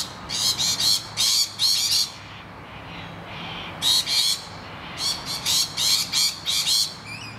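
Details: Rainbow lorikeets in distress, screaming while noisy miners attack their nest hollow; bursts of harsh rasping screeches in quick series, a quieter gap midway, then more rapid screeching.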